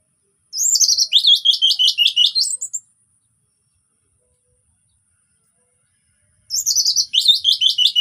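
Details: Orange-headed thrush giving relaxed lure song to get silent birds singing: two long phrases of fast, repeated, downward-slurred whistled notes, about five per second, with a long quiet gap between them.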